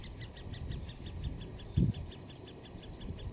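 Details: Great spotted woodpecker chicks in their nest at Solleveld, 26 May 2018, as the mother or father comes to feed. A rapid string of sharp, high ticking notes, several per second, with a soft thump partway through.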